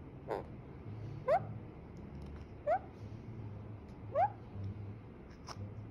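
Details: Alexandrine parakeet from Pakistan in an angry mood, giving four short rising, harmonic-rich squawks spaced one to one and a half seconds apart over a low steady background hum.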